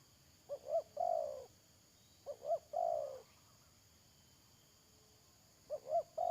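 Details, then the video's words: Spotted dove used as a decoy bird for trapping, recorded 31 May 2022: two short rising coos followed by a long, drawn-out falling croo, repeated twice with a pause, over a steady faint hiss. "Pikat Tekukur"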